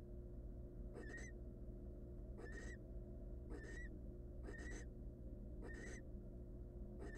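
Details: Wild barn owl nestlings in a nest box, hungry and begging for food: harsh, breathy hissing screeches, each about half a second long, repeated roughly every 1.2 seconds at an even pace, with a constant low electrical hum underneath.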